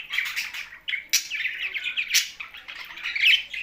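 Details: Budgerigars kept with parrots in Larkana, Sindh: nonstop squawky chattering and scratchy chirps, with sharp louder squawks standing out at intervals.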